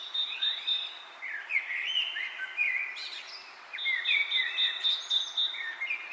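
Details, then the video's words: Birds chirp together: a rapid high trill starts, gives way to lower jumbled twitters and slurred whistles, then returns, steady against a faint hiss. "Wind blows leaves, leaves bird chirping sound"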